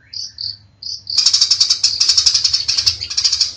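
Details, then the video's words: Cendet (long-tailed shrike) in masteran training audio: three clear separate high whistles open the clip. Then comes a rapid, loud, pulsing run of shrill trilled notes to the end. "MASTERAN CENDET GACOR MANTAP"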